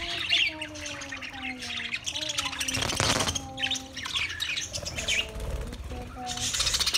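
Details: Budgies chattering with high scratchy twitters over clear, gently falling low whistles repeated through the clip.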